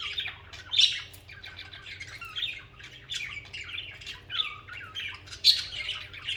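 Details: Pet budgerigars chattering, a continuous warbled babble of squeaky, scratchy notes and short downslurred whistles, with several sharp louder squawks rising above it.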